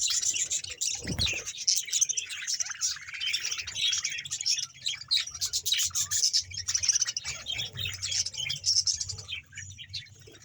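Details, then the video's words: Budgerigar colony in Bahawalpur, about 100 pairs, giving a constant wall of chirps, squawks and warbles, with a low thump early on and the chatter easing toward the end. "100 pear budges parrot colony# bahawalpur budges sound"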